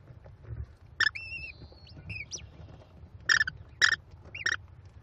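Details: Five American kestrel chicks at a Cornell nest being fed by their mother on 18 May 2021: harsh, buzzy squeals mixed with thin whistled notes, coming in uneven bursts over a low rumble.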